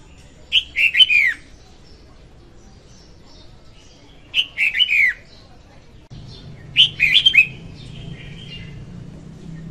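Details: Female red-whiskered bulbul singing, used to lure birds for trapping: three repeated phrases of lively slurred whistles, roughly every three seconds, with a low steady hum entering in the final part.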